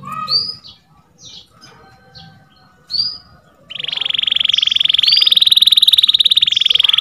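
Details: Canary masteran for canaries that stopped singing: scattered soft rising whistles, then a sustained rapid trill that grows louder and keeps an even, pulsing beat.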